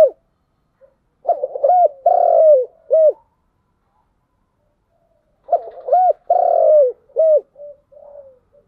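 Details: Spotted dove of the 'giọng đồng' voice type gives two cooing phrases about four seconds apart. Each phrase is a few short rounded hoots around one longer drawn-out mellow note, with silence between.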